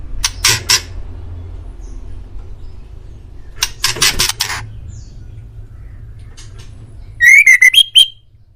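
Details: Master-recording song of a white-rumped shama meant to prompt pet birds to reply: groups of harsh, rasping bursts separated by quiet gaps, ending with a quick series of loud, clear, rising whistles.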